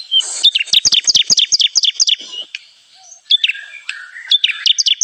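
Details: Lure call of a bar-winged prinia for trapping: a fast string of high, sharp two-part chirps, a short pause, then scattered whistled notes and more chirps.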